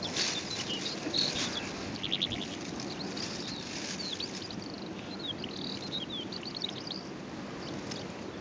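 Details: Calandra lark singing on the Golan Heights, Israel, on 11 April 2011, pouring out a steady, jumbled stream of high chirps, trills and scratchy notes, with a constant rushing background hiss beneath.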